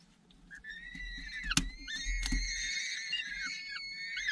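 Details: Returning adult falcon feeding chicks at the nest after hunting; sustained harsh screaming wails with strong harmonics, broken by two loud knocks or thumps, with the screams continuing steadily afterward.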